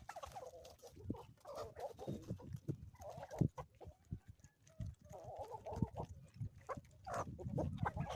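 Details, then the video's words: Chickens on an Ozarks homestead in the morning give drawn-out, nasal calls in short bursts between clucks, over a steady background of low thumping and rustling. "relaxing sounds and chickens from the homestead"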